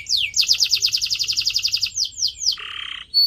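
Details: Canary song for training pet birds: a rapid series of about fifteen sweeping notes, a few slower downslurred whistles, then a low buzzy rattle.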